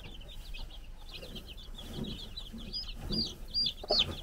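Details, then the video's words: Young chickens, four days old, active on a farm in the Czech Republic under a brood hen's eye: rapid high chirps run continuously, with a few louder, clear, arching peeps standing out in the last second and soft lower noises beneath. "Our New Cute Baby Chickens Running Around and Chirping"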